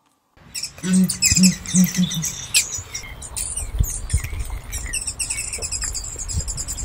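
Southern ground hornbill giving four deep, booming hoots in quick succession, followed by busy high-pitched chirping from small birds or insects.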